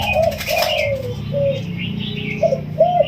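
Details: Wild-caught spotted dove, sixteen days in a cage, singing a yon kuk diao crow described as soft and sweet. A long falling coo is followed by short mellow hoots after gaps, over a steady low hum.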